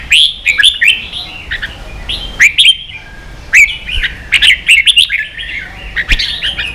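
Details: Red-whiskered bulbul "ché" style song for training young birds and stirring kept birds into song: quick bubbly whistled phrases with sharp upslurred notes, in bursts separated by short pauses.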